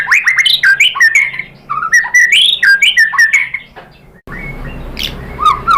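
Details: White-rumped shama singing as a lure to make other birds answer: loud varied whistled phrases around the mid range, rising and falling slurs and sharp notes, a short pause, then more whistles over a noisier background.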